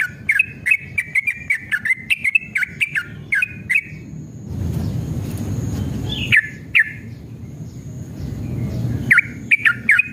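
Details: Singing yellow-vented bulbul, a recording meant to coax caged birds into song: rapid chattering, gurgling phrases that break off into a few seconds of low noise, then single notes and a fresh quick burst.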